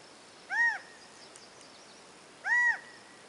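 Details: Quail perched in silhouette on a tree branch, moving with each call; two short, arched whistled notes spaced about two seconds apart over a steady background hiss.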